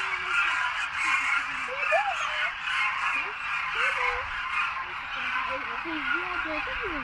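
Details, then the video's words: A cacophony of Demoiselle Cranes at the feeding site in Khichan village, Rajasthan, during winter. The dense croaking chorus continues throughout while people talk nearby in the foreground. "Cacophony of Cranes seen en masse"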